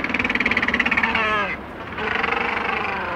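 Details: Macaroni penguins in a colony on Bird Island, South Georgia, recorded close up: harsh, rapidly pulsed braying calls, a throbbing run of nasal notes that breaks off and resumes, with other colony birds and distant sea behind.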